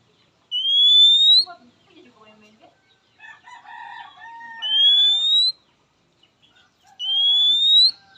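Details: {'caption': 'Oriental magpie-robin calling a rival, answered quickly by males and females: three long, pure whistles rising slightly in pitch, with lower warbled and chattering notes filling the gaps between them.'}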